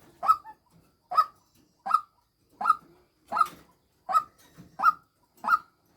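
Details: Female white-breasted waterhen used as a decoy, giving eight abrupt, coarse 'kwak'-like notes at a steady rhythm, each followed by a brief softer echoing note.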